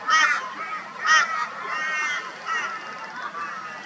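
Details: A flock of crows mobbing a barn owl in Brisbane, Australia, February 2022. Two loud, harsh, nasal calls stand out early on, followed by a softer, ongoing background of overlapping raucous calling.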